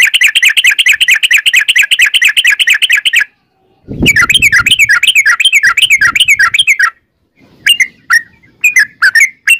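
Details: Sooty-headed bulbul delivering a long ropel song in gacor style, used as a lure: a dense three-second rapid chatter, then a wavering bubbly run, then a few spaced sharp chirps.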